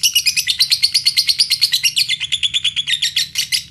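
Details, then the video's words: Lovebird song intended to prompt other lovebirds to sing: a continuous fast chatter of harsh, rapidly pulsed high notes, roughly seven per second, steady throughout over a faint low hum. "Pancingan lovebird paling ampuh"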